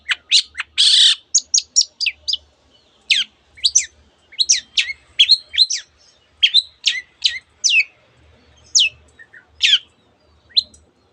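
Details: Long-tailed shrike pouring out a mimicked medley including canary phrases: a harsh rasp opens, followed by scattered sharp whistled chirps and sweeping notes, spaced unevenly with short pauses, faint low hum behind.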